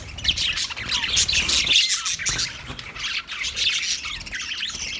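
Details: Budgerigars on 29 February 2024 produce busy high twittering and harsh little squawks in an unbroken overlapping stream, with some low background rumble.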